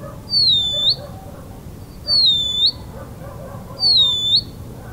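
A Band-winged nightjar sings a high, thin whistled note that dips and then rises, repeated three times, about every two seconds, over a faint low background hum.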